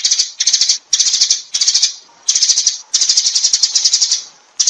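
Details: Sparrows giving the flock call, quick high chirps run together into choppy chattering phrases with uneven gaps, the loudest run near the middle.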